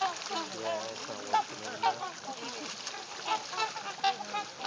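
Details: A flock of Trumpeter Swans in Arkansas gives overlapping, nasal, horn-like honks, several a second, in a steady low chorus.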